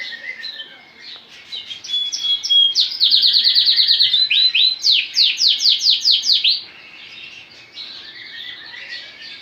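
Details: Full lemon Lancashire canary cock bird singing indoors: soft twittering builds into a loud run of quick trills and rising swept notes, then fades back to quiet chatter.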